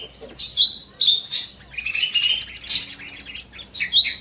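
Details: Evening in an aviary with a small bulbul (cucak mini) in full song: clear whistled notes and warbled runs in short bursts, some sliding downward, separated by brief gaps.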